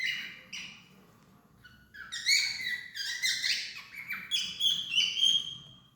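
A cockatiel sings a run of bright, warbling whistles that slide up and down.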